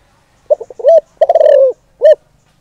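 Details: Spotted dove used as a decoy, calling to provoke wild males: a few short stuttering coos, a rounded coo, then a long rolling drawn-out coo and one final short coo, in a quiet setting.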